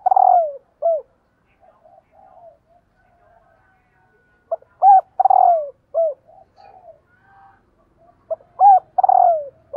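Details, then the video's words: Calling female spotted dove meant to excite males; mellow falling coos each followed by a short low note, in phrases spaced several seconds apart, with faint soft murmurs filling the pauses. "CU GÁY MÁI KÍCH TRỐNG"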